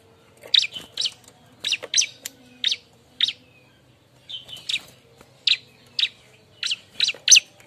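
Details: Bar-winged prinia looking for a mate, giving a busy run of sharp, high chirps, often doubled, scattered irregularly across the stretch over a low background hum.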